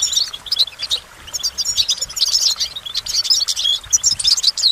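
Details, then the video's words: A goldfinch sings lively phrases of high, twittering chirps and buzzy trills, broken by a couple of short pauses. "Goldfinch Motivation Performance"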